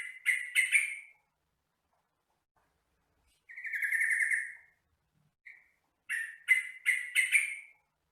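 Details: Yellow-vented bulbul song used as a training recording for captive birds: bubbly chirping phrases, a burst of three notes, a longer warbled phrase near four seconds, then a quick series of chattering notes after a short pause.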